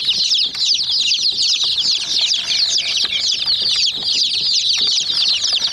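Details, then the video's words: Many hen chicks peck at a white miniature toy jeep, filling the air with a dense, overlapping chorus of shrill, high peeps, with faint tapping clicks underneath. "Mini Jeep Vs Murgi Chicks Chirping Sounds"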